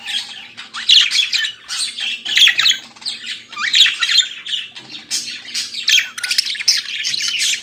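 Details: Morning chatter of a pet budgerigar, a steady stream of scratchy warbles, clicks and squeaky chirps with brief dips, over a soft low hum.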